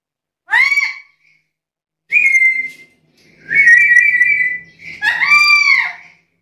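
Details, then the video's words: Black-capped lory, described as vocal and chatty, gives four loud whistled calls: first a short arched note, then sustained flat whistles and a final rising-falling screech, with short silences between. "Burung nuri kepala hitam gacor cerewet ini terbaik untuk pancingan dan masteran"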